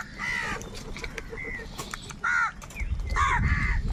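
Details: Crows in a huge crowd scrapping over food give scattered hoarse caws, some faint and distant, a louder one midway, with low rumbling noise growing toward the end.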